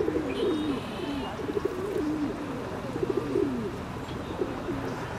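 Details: Ring-necked duck uttering low, throaty, bending notes in quick short bursts, with a faint higher whistle early on and steady noise behind.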